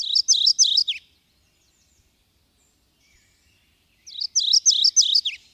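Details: Two short, separate phrases of subalpine warbler song (Sylvia cantillans), each a quick, high, scratchy series of about six chattering notes, with a quiet four-second pause between them.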